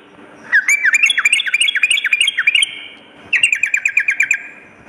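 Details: Sooty-headed bulbul, a lively singer, in lure song for morning and night: a quick run of looping, rising-and-falling whistled notes, a pause, then a shorter series of evenly spaced bright chirps.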